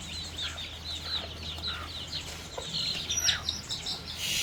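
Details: Chicks and young chickens happily pecking at termites on a farm; busy high-pitched peeping from many birds, some longer rising notes near the end, with soft rustling and a low hum.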